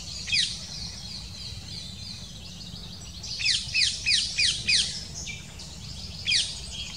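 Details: Female black kite arriving at the nest with a small prey and feeding the chicks, seen from afar: a single high falling chirp, then a rapid run of about six sharp descending notes, another lone chirp later.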